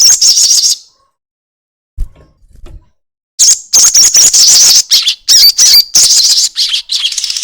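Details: Crested jay in a lure recording meant to make other birds sing: loud, high, rapid rattling trills of dense buzzy notes, an opening burst, a short pause with faint low knocks, then a long, broken series of trills.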